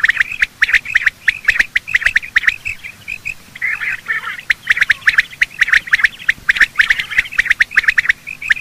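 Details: Continuous morning chorus of male and female quail, used for hunting: dense, overlapping chirping and squawks with steady clicking, briefly easing into a softer jumbled chatter midway.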